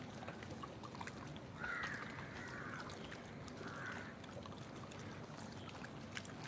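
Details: Crows at dawn (06:00, 15 September 2025) beside Lake Vembanad, with many crows present, give two harsh, drawn-out caws about two seconds apart over a steady wash of water and background noise.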